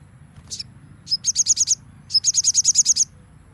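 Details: Crimson sunbird singing in the nembak style for a song-training recording: a lone high chip, then two bursts of rapid, evenly repeated high sharp notes, about six then ten, with a low steady hum beneath.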